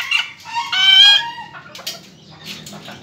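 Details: Laughing call of a black chick: a loud, drawn-out buzzy cry with strong rising overtones, followed by fainter rasping notes.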